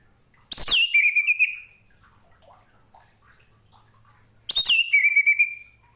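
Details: Orange-headed thrush song for training other cage birds: two phrases about four seconds apart, each a sharp crackling high onset dropping into a drawn-out warbled whistle, with faint soft chirps in the gap.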